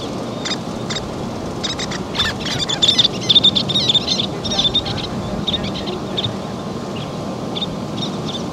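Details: Least terns with chicks at a feeding, calling from their sand bar nesting site; scattered high, thin squeaky calls build into a busy chattering burst midway, then thin out, over steady low background noise.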